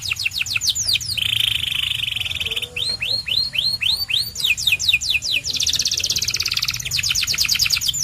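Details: Song of a white canary: quick high trills alternating with a steady buzzy roll, then a series of looping slurred notes, followed by more rapid repeated phrases, all continuous and loud.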